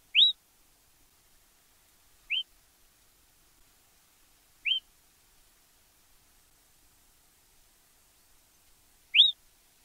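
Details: A yellow-browed tyrant in Argentina gives four thin, high, slurred whistled notes at uneven gaps of two to four seconds, against a quiet background.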